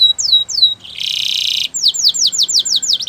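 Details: Canary song for training: a pair of falling whistles, a buzzy grating roll lasting under a second, then a rush of rapid downward-sliding notes.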